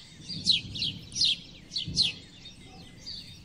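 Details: House sparrows chirping: four or five loud, clipped, falling notes in the first two seconds, then quieter, softer chirps trailing off.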